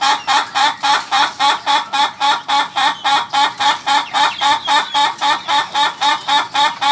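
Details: Laughing chicken (ayam ketawa) producing a long, very regular series of loud staccato laughing notes, close to four a second, each clipped and bright, with no other sounds.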